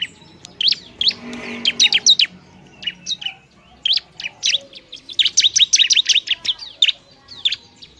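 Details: Bar-winged prinia, semi-active and loud, singing to agitate other prinias: continuous bursts of high, piercing chirps and rattling trills with brief gaps between phrases.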